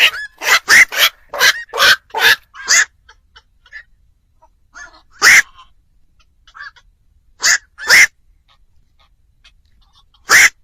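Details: Black-crowned night heron calls for luring birds at night: a rapid run of raspy croaks, then isolated single croaks after longer pauses, faint chirps in between.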